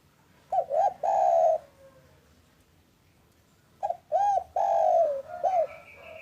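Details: Local spotted dove calling in the afternoon. Two coo phrases about three seconds apart, each a short note, an arched coo, then a long drawn-out falling coo, the second closing with extra arched notes amid faint thinner tones.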